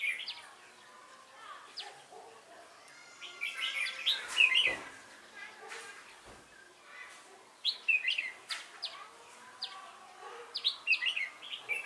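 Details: Red-whiskered bulbul used as a decoy for trapping, a thick-crested bird with a bell-like voice, recorded 12 November 2017; bright whistled phrases rising and falling around mid-high pitch, sung in short bursts with pauses, other chirps faint behind.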